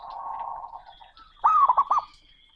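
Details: Male zebra dove, called perkutut, calling a rival in a loud, booming voice. A low, steady humming tone comes first, then one short phrase of quick, bubbling coo notes.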